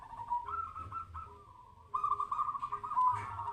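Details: Zebra dove singing in a mental test session, a soft low cooing phrase followed by a longer rolling, vibrating coo, with a faint repeated low tone and hum behind.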